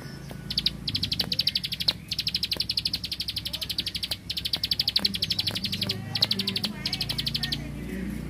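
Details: Rice-field bar-winged prinia in full 'tembakan bren' burst song: rapid high ticking notes run in long strings separated by brief gaps. A steady low rumble is also heard.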